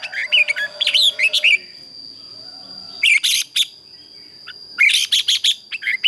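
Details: Red-whiskered bulbul competition song, sung in the morning to train other birds: a fast twisting warbled phrase, a pause, then two dense bursts of loud chattering notes over a persistent high whine.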